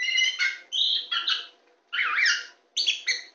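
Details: Very tame champion kacer poci (Oriental magpie-robin) on a hand gives harsh, buzzy, harmonically rich notes in three bursts, with short gaps between them.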